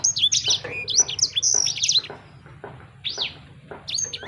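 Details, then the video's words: Sanger bird singing, meant to prompt a listener's own sanger bird to start singing: bursts of high, sweeping, chirpy whistles, then a quieter stretch with a few separate rising-falling notes. "Burung Sanger Anda Bunyi Seketika"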